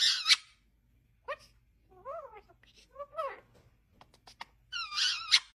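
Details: Pet cockatiel, a talking parrot, giving harsh raspy screeches, then wavering warbled notes and clicks, ending with another rough screech in a quiet indoor room.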